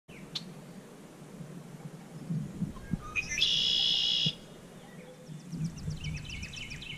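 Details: A red-winged blackbird sings by a pond on Pawpaw Hill on 10 April 2017: a couple of short notes, then a loud, harsh buzzing trill of about a second, with other birds chipping nearby over a low rumble.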